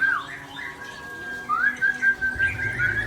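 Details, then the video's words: White-rumped shama (murai Aceh) singing powerfully: clear whistled notes that slide and loop, with a rising whistle mid-phrase, over a steady background hiss and low rumble. "Murai Aceh # Power Full"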